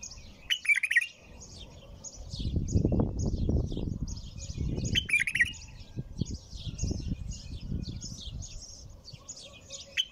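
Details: A bulbul repeats short warbling song phrases a few seconds apart, set against constant thin high chirping and loud low rumbling background noise.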